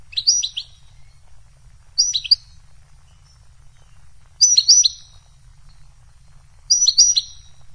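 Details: Goldfinch uttering short, high twittered call groups of two or three bright slurred notes, repeated about every two to two and a half seconds, in otherwise quiet surroundings.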